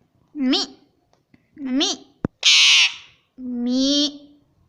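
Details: A talking pet Indian ringneck parrot, taught words like "mummy" and "papa", speaks short, nasal, pitch-sliding words in three quick phrases, with one harsh, raspy squawk between the last two.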